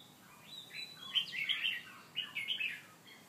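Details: White-rumped shama chasing a mate during mating: soft, rich whistled warbles rising and falling in two short phrases, fairly quiet against background hiss.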